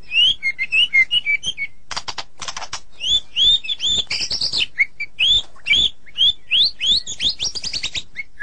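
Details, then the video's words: White-rumped shama song used as therapy for a sulking bird: varied clear whistled phrases, some rising and some falling, broken by short harsh noisy bursts and chattering notes, delivered in quick succession. "Terapi super murai yang sedang ngambek"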